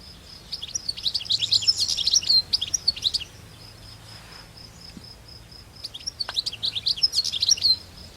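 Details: European goldfinch singing outdoors in nature: quick, high, jangling twitters and trills in two bursts with a quieter gap between. A steady faint high whine continues in the background.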